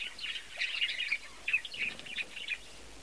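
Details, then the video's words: Young chick peeping from a nest made from an old cabinet, indoors: a series of faint, thin high peeps in small clusters over steady background hiss. "CHICK PEEPS OUT"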